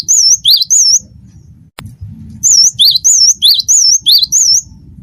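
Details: Gelatik batu of the wingko type, a cinereous tit, singing briskly: loud bursts of clear, wavy whistled two-note phrases, a higher note alternating with a lower one, about four per burst, separated by a short pause over a faint low hum.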